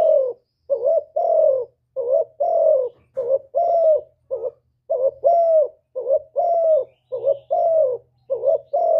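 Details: Spotted dove in the hạp bổi style sings a full song of calling, urging and cooing, recorded directly without background noise: steady pairs of short wavering and longer sloping coos repeating about once a second.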